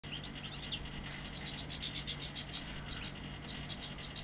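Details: Young Sevillian European goldfinch singing: a brief run of thin, high twittering notes, then a steady train of sharp, high ticking pulses at about four per second.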